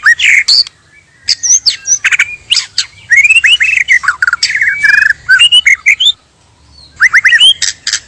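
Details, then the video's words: White-rumped shama, male and female, singing as a trapping lure: varied bursts of slurred whistles, harsh rasps and quick warbled phrases separated by brief silences. "Pikat Dan Pancingan Murai Asli Suara Alam"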